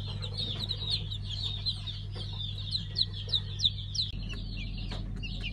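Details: A brood of just-hatched pheasant chicks in five colour varieties, 3 August 2019, giving a dense stream of shrill, short descending cheeps over a constant low hum that shifts near the end.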